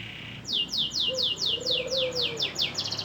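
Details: Canary in vigorous song for training other birds: a regular series of clear downward-sweeping whistles, about two per second, speeding into a quicker trill at the end, with a quiet low drawn tone behind.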